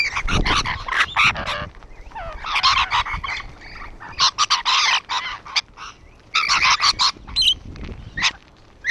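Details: Rainbow lorikeets perched on a wall give loud, shrill, grating screeches in dense overlapping flurries, with short pauses between bursts of strident chatter.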